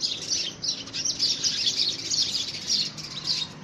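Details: Short burst of house sparrows quarrelling over a nest box in early February 2017, with rapid, irregular high chirps, roughly a hundred a minute, layered over one another.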